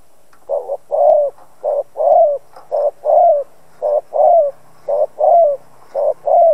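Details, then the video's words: Spotted dove used as a calling decoy to excite other doves: a rapid run of paired low coos, a short note then a longer wavering one, repeated steadily about once a second. "Chim cu gáy mồi cây gáy gọi kích bổi tập mồi căng lửa. Cu đất gáy kích bổi."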